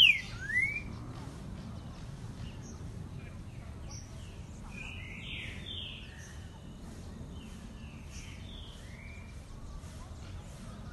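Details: Green-winged saltator heard during a short outing: faint, slurred whistled notes, some falling and some rising, repeated loosely over steady low background noise, after a louder downward whistle at the start.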